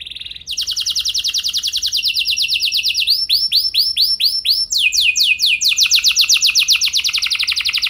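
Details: Domestic canary singing to stir other canaries into long rolling song: after one short note, a continuous, very fast trill runs on. Its note shapes shift from straight pulses to arched sweeps and back.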